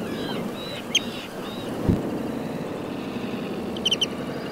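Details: Pied avocet, juvenile, in summer at the edge of the Suscinio marsh in Morbihan, France, on 23 June 2022: a few short clear upslurred calls near the start, sharp clicks around four seconds, over steady water and wind noise.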